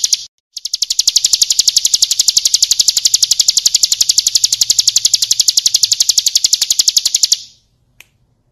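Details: Bar-winged prinia, 'ciblek kristal' training song: one sustained, very regular trill of loud, high metallic chips running about six and a half seconds before stopping abruptly.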